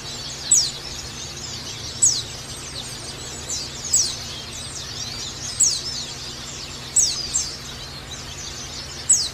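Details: Pleci (white-eye) calling, used as therapy sound to encourage the bird to open its beak and sing: sharp high chirps repeated roughly every one and a half seconds over a steady hiss.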